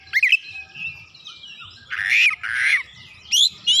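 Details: Oriental magpie-robin song with a sharp whistled opening, a thin sustained tone, then two loud harsh rasping bursts and a final high sweeping whistle.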